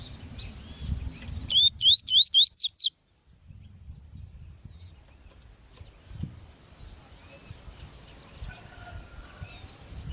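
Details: Female double-collared seedeater calling, used to warm up and train males; a quick burst of about six bright, rising whistled chips, then near silence with faint distant birds in the background.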